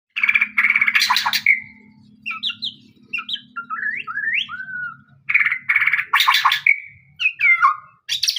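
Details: White-rumped shama singing a varied run of loud whistled phrases, bursts of harsh buzzy notes alternating with clear rising and falling slurred whistles, over a steady low hum.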